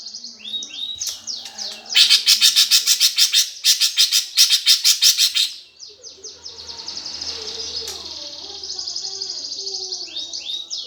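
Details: Gereja tarung fighting song of a greater green leafbird, played to provoke competition birds: quick falling whistles, a burst of loud rasping chirps, then a long high trilling warble.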